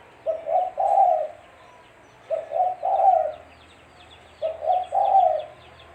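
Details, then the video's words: Tekukur or spotted dove used as a lure for catching birds: three mellow low coo phrases about two seconds apart, each short-short-long, with faint chirping of other birds in the background. "Suara Burung Tekukur-Suara Tekukur Buat Pancingan Mikat"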